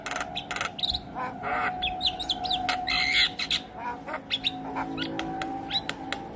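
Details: Javan myna reacting with sudden stress to another Javan myna calling, delivering full isian: harsh rasping squawks, short clicks and bent whistled notes crowded together, with a constant background hum.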